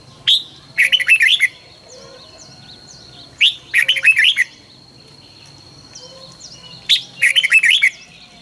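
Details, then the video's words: Red-whiskered bulbul's morning song, used to train birds to sing fast and intensely ('căng lửa'): three short warbled phrases, each opened by a sharp high note, about every three and a half seconds, over a steady thin high whine. "luyện chào mào hót sáng 2020- Hót hay nhanh căng lửa"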